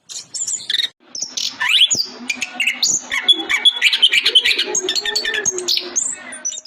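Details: An Orange-headed Thrush, a popular Indonesian contest songbird, sings a rich, fast run of varied whistles, chirps and buzzy notes that change pitch constantly, over a faint low hum.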